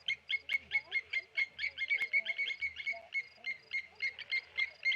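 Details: Mobbing alarm of Blacksmith lapwings attacking a Tawny eagle at Okaukuejo Resort waterhole; clear, high, metallic knocking notes repeat steadily, roughly four per second, with occasional low rumbling underneath.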